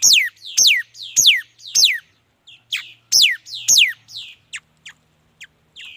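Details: Song of a mi dat bird: a quick run of about six bright, descending whistled sweeps, roughly one every half second, then trailing into softer, shorter high notes and chips.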